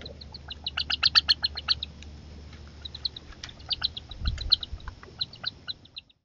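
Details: Growing Northern harrier young competing aggressively for food their mother delivers: bursts of rapid, high, sharp repeated notes, pausing briefly midway, then resuming and trailing off, with a low thud near the end.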